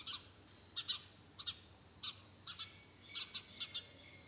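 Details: Early-morning sparrow chirping in a garden, busy and lively: bright, clipped high chirps, often in quick pairs, coming thick and irregular several times a second, with a faint constant high hiss behind.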